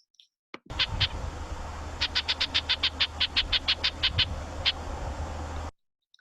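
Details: Red-breasted Nuthatch near Seattle giving its angry call, used to defend territory or warn other birds and predators away: a rapid run of high, nasal, horn-like notes, about four a second after a couple of spaced openers, over a low hum.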